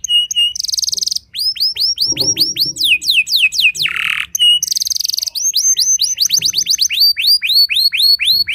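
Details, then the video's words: Canary song played to make other canaries sing back: brisk tours of curved whistles broken by two dense buzzy bursts and a lower rasp, with the whistled rolls resuming fast and varied. "Pancingan Burung Kenari Bikin Emosi Kenari lain Dijamin Langsung Nyaut Ikut Gacor Panjang"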